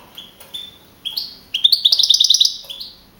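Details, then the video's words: Wild-type European goldfinch, a young male that won first place at a goldfinch singing contest in Navalcarnero, Madrid region, Spain, on 15 April 2012, scoring 42 points. Thin high notes open, then a fast run of bright repeated twittering notes. "JILGUERO CAMPERO CAMPEON 2012"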